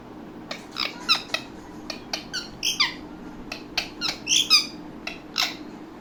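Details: Talking ringneck parakeet making an irregular string of clicks, squeaks and short raspy chirps, some louder and buzzier, spaced unevenly over several seconds.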